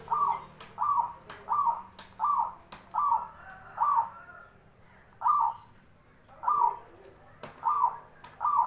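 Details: Zebra dove voice: a run of about twelve short, burry coo notes, quick at first, then spaced more widely, with occasional sharp clicks and a quiet hum beneath.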